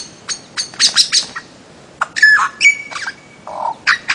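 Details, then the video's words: Bird-of-paradise, Papua, Aru Islands in Maluku: loud harsh squawks in short bursts with a long thin steady whistle, separated by brief pauses, outdoors. "kicau burung cendrawasih"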